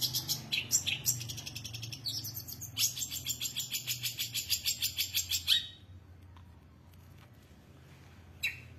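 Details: Long-tailed shrike in lively song: varied high chirps, then a fast, even train of clipped notes repeated about three times per second for several seconds, followed by near silence and one last sharp note.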